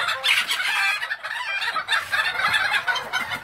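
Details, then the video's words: Breeding Thai bantams on an ornamental chicken farm in Vietnam; overlapping raspy crows from multiple roosters, sustained and noisy with brief dips between calls. "gà tre thái sinh sản"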